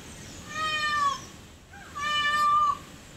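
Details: A group of peafowl gives two long, loud, cat-like wailing cries about a second and a half apart, each a sustained nasal tone ending in a brief downward slur.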